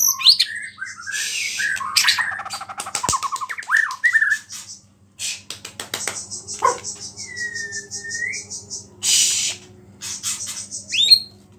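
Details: Singing white-rumped shama with small-bird phrases in its song, said to trigger other shamas. Sharp clicks and a low warbled passage lead into long high buzzy pulse trains and one drawn-out whistled note.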